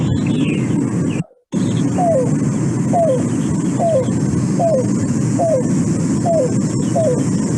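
A cuckoo gives a steady series of soft, hollow, down-slurred coos, about one every three-quarters of a second, over a heavy low rumble of background noise.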